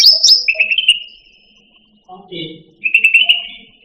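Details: Cucak rante song from a masteran recording, used to train pet songbirds to sing: high whistled notes, then a buzzy, wavering trill held level. A short pause follows before the trill returns. Faint low murmuring sits underneath.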